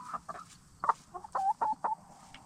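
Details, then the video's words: Black star and Bielefelder hens settling for the night in a movable chicken tractor, having free-ranged during the day. A close run of sharp, nasal clucks, some held briefly, comes in quick succession over a quiet background. "Relaxing Hen Sounds - Chickens In Chicken Tractor"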